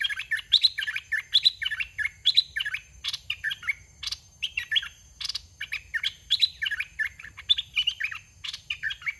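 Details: Red-whiskered bulbul, a caged decoy bird of dok taeng style, sings a lively run of short warbled, bubbly whistled phrases repeated almost every half second, with occasional harsh rattling bursts between them.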